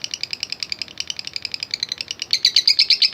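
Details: Lovebird in long 'ngekek' chatter, played to provoke other fighting lovebirds: sharp high ticking notes, about six per second, growing louder and denser near the end.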